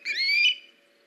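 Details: Osprey at a nest on a live nest camera in late August, as an adult delivers a fish; a single loud whistled call with a rising, slurred note lasting about half a second, over a faint steady hum.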